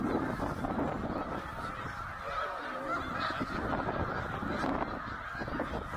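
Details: Eighty thousand snow geese migrating through Middle Creek, Pennsylvania, 2023: a murmuring mass of nasal honks, rising and falling in loudness, over a noticeable low rumble of wind or handling noise.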